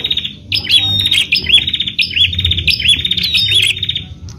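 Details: Bar-winged prinia song for luring other prinias into singing: a nearly continuous run of fast buzzy trills and repeated sharp chirping notes lasting several seconds, over a soft low background noise.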